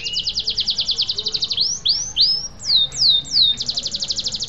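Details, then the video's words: Canary song used to prompt silent or stalled canaries into full singing and rolling: fast trills of high notes, then loud rising swooping whistles repeated about every half second, ending in another rapid trill. "Pancingan Kenari Macet Bunyi dan BISU bisa langsung Gacor dan Ngeroll Lagi"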